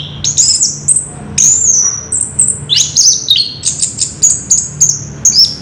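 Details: Orange-headed thrush in high-pitched rolling song, thin whistles and quick downslurred notes repeated in rhythmic bursts roughly twice a second, over a low hum.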